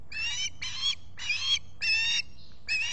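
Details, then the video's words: Morning squawking from an osprey at its Finger Lakes nest, Salt Point, US, on 23 July 2021: five strident, rasping, slightly rising squeals, each under half a second, in a regular series with a low background hum. "Olan squawking"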